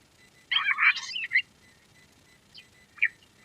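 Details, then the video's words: Quail, called Lohari in the local name, giving a burst of tangled chirping notes near the start, then two short, sharp chirps after a quiet gap. "Queen quail sound || Lohari ka Awaaj"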